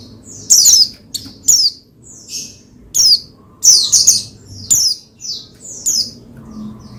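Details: Oriental white-eye, a pleci kept as a cage bird, singing to stir another pleci into song: high, thin descending chirps and short twittered phrases in spaced bursts, with a faint low hum behind.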